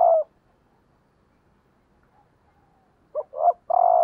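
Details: Decoy female spotted dove calling to excite males: the end of one long coo, a pause of nearly three seconds, then a full phrase of a brief note, a rising coo and a drawn-out level coo.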